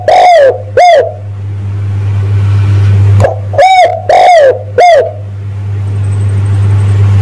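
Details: Spotted dove lure call meant to draw in males. Loud, rough-edged coos come in bursts, two close together, a pause, then three more. A constant low hum runs beneath them.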